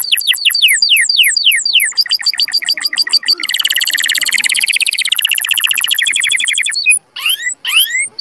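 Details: Powerful canary song for mating stimulation; repeated slurred whistles lead into rapid rattling notes, then a long loud buzzy trill, ending with a few separate upswept whistles.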